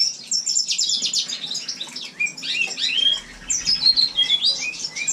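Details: House finch in a communal indoor room in winter giving a rapid series of high chirps and buzzy notes followed by twittering warbled phrases with short whistled slurs, faint low thumps late on.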